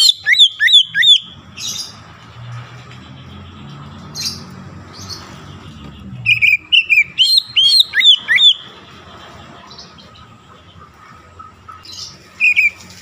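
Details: Oriental magpie-robin song used to provoke rival magpie-robins: fast runs of looping, up-and-down whistles at about three notes a second, broken by harsh bursts and pauses, with a faint low hum behind.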